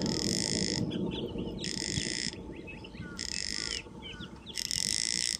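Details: Snail kite (Rostrhamus sociabilis) calling, giving harsh, grating rasps in four bursts under a second long, about every second and a half, with faint chirps from other birds and a low rumble.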